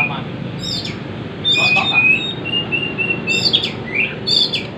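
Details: Bornean white-rumped shama imitating a prinia: sharp high whistled notes and short upward-flicking chirps in loose bursts, with faint background murmur.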